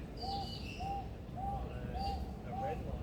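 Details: A male Superb Lyrebird, a mimic housed in a zoo rainforest aviary in Adelaide, South Australia, gives an evenly spaced run of curved mid-pitched whistles, with brief higher whistled phrases above and a constant low background hum.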